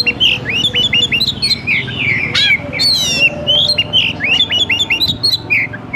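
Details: Fighting Oriental magpie-robin opening its tail while singing, recorded as a master for training other birds: quick repeated upslurred whistles, chattering trills and a few harsh scratchy notes, delivered in a busy unbroken stream over low background hum.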